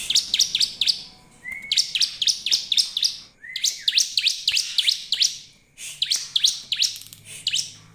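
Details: A lively bar-winged prinia, recorded as a lure to get other prinias singing, gives series of crisp, high chirps, about five per phrase, separated by brief pauses and a couple of short rising whistles.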